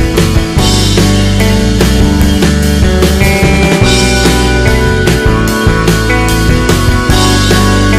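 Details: Loud rock music with driving drums and distorted guitar throughout, with no animal sound.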